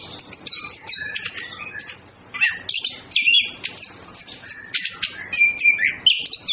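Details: Male and female orange-headed thrushes flirting, giving a jumbled stream of high whistles, chattering notes and sharp upslurs that build into louder phrases toward the end.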